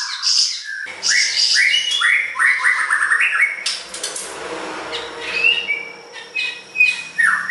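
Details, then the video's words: Siri-siri besar, lively song used as a training recording for songbirds: a fast series of short upslurred whistled notes, about two to three each second, mixed with thin high chirps, then scattered sharper notes. "Masteran burung siri siri besar gacor"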